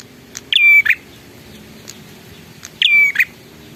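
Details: Bar-winged prinia in lively song: a harsh buzzy note, a clear level whistle, then another rough note. The phrase repeats twice about 2.3 seconds apart over a quiet low hum.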